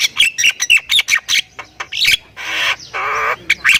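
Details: Javan myna of the Thai type in lively full-fill song, used as a master recording for training: fast harsh chattering notes with whistled inflections, then two long buzzy rasping bursts and a final squawky flourish.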